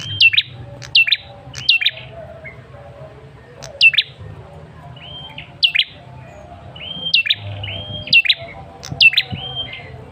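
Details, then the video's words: Male red-headed tailorbird, used as a lure to prompt a response from kept birds: sharp downslurred chirps in quick pairs alternate with short flat whistled notes, repeated throughout with faint low hum behind. "Suara pancingan Prenjak Kepala Merah jantan"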